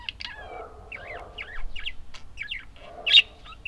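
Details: Budgerigar warbling, with looping, up-and-down whistled notes in quick succession, a soft low murmur underneath, and a loud, harsh chirp standing out near the end.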